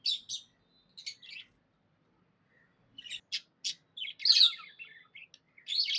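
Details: Happy budgerigar chirping in sparse squeaky pairs, a quiet stretch, then quick single chirps and a louder scratchy chattering burst at the end.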